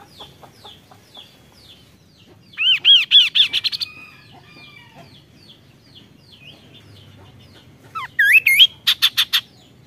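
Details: Kaso-kaso bird "tembakan" song: soft repeated high chips, then a loud series of looping rising notes. Scattered quieter whistles follow before a second loud burst of upswept notes and rapid sharp shots.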